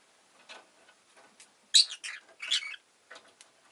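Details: Pet rosy-faced lovebird giving a burst of shrill, harsh chirps, several loud buzzy notes clustered in the middle with fainter scratchy chirps before and after; quiet background.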